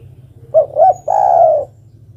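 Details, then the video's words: Single phrase from a female zebra dove calling to a male: a pair of quick swelling coos leading into a long trilled coo that eases downward, with faint low background hum. "Suara burung derkuku betina memanggil jantan"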